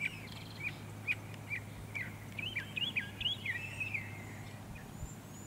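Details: Northern mockingbird singing on Cape Cod, Massachusetts, in October: a rapid series of short clipped notes repeated several times, then shifting to quick looping warbled phrases, with a low background hum.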